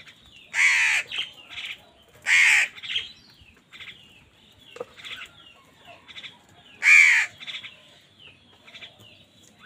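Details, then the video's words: Crows fighting with wild birds over food: three loud harsh caws near the start and end, with softer chirps and twittering from other birds between them. "Crows fight with wild birds for food | Crow bird unity anger and sound"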